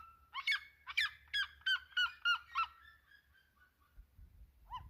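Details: Red-legged seriema (Cariama cristata), song.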